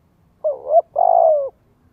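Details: Spotted dove coo used to train young birds: a wavering two-part opening note, a brief break, then a long, even, gently falling hollow coo.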